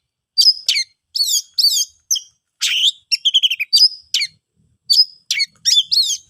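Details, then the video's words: Oriental magpie-robin in continuous song, played to make silent birds sing: varied sweeping whistles, buzzy rasps and a fast rattle of repeated short notes, delivered in quick, energetic phrases. "KICAUAN ASLI KACER NGEPLONG, paling ampuh di jadikan pancingan kacer macet & bisu jadi GACOR"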